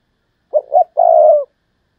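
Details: Spotted dove kept as a decoy bird, thúc lợi cốt call style. One phrase of two clipped low coos, then a longer smooth coo tapering downward, in clean silence.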